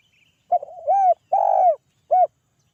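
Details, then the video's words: Spotted dove's call for others to answer, one phrase of a brief coo sliding into a longer note, a drawn-out rolling coo, then a short closing coo, mellow and low in quiet. "TEKUKUR GACOR SUARA PANGGIL"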